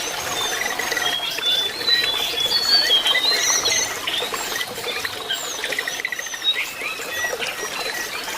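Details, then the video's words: Jongkangan birds in a busy, high chorus of bright whistled phrases and quick twittering notes, with several voices overlapping almost without pause; played as therapy so that jongkangan that have stopped singing quickly start whistling and twittering. "jongkangan yang macet bunyi atau jongkangan bahan supaya lekas nyuling dan ngriwik"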